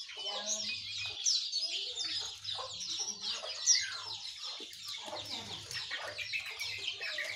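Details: Sooty-headed bulbul, yellow-vented bulbul and white-eye sing in the morning: a continuous mass of high twittering and chattering notes, with a faint low intermittent hum in the background.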